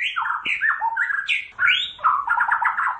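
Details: A Pasaman white-rumped shama (Copsychus malabaricus) sings a rich, fast run of varied whistles and slurred, rising and falling notes, ending in quick chattering phrases.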